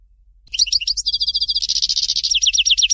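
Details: European goldfinch, "Fort de L'eau" Dalya song: a brief twitter leads into a rapid, steady trill, then a run of loud, repeated downslurred high notes.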